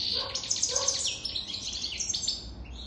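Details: European goldfinch more than three years old in rapid song, bright tinkling twitters and buzzy trills run together almost continuously, with soft lower chirps underneath.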